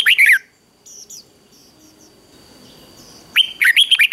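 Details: Red-whiskered bulbul in competitive song meant to provoke singing. A loud, tumbling burst of warbled notes opens, quieter faint chirps follow, then a rapid bright phrase of rising and falling whistles closes.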